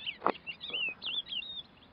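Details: Thekla's lark singing by a pond at Cabranosa, Sagres, Portugal, on the morning of 2 April 2022, after rain. It gives a run of sweet, fluting, rising-and-falling whistles linked by short slurred notes, over faint outdoor noise.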